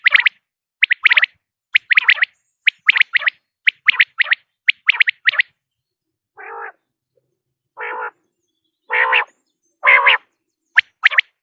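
Common quail giving quick, liquid two- and three-note phrases about once a second, then several lower, nasal, drawn-out notes before the bright phrases resume.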